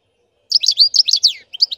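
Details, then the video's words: A black-headed goldfinch delivers a fast, continuous stream of high twittering and buzzy slurred notes, briefly pausing before a few more bright chirps. "Щегол чёрноголовый пение"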